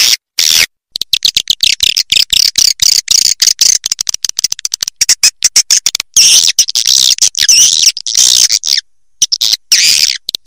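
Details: Swiftlet calls used to call and attract swiftlets: a rapid stream of high, dry chittering clicks and buzzy chirps, cut into choppy bursts by abrupt silences.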